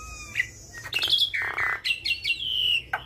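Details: Active Javan myna song, a mimicry-filled masteran for training other mynas: thin high whistles, a harsh rasping burst, then sliding squeaky notes and a long level whistle ending in a short buzz.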